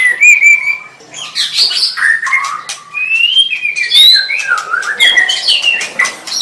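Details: Song of a white-rumped shama: a long steady whistle opening, then fluid rising and falling whistled phrases interwoven with buzzy, scratchy notes, flowing without a break.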